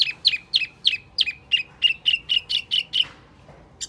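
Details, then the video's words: High Wambi mini lure call, a fast even series of sharp chirps with a ringing tail, about three per second, stopping abruptly. "Suara Pikat Burung Wambi Mini"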